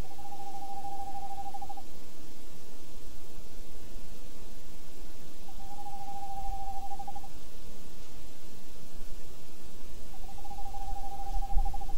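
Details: Male and female tawny owl pair giving three soft, even, mid-pitched trills, each about two seconds long and roughly five seconds apart, recorded 28 January 2011, over a steady low rumble and faint high electrical whine.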